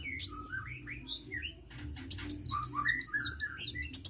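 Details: Kolibri, a sunbird, singing energetically: a few scattered high notes, then a fast run of sharp, high, repeated twittering chirps, about two or three each second, above a faint low hum.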